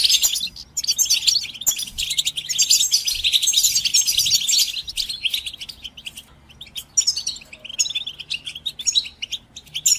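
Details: Goldfinch training song: about five seconds of intense, rapid twittering and high trills, easing into sparser chirps and short twittered phrases toward the end.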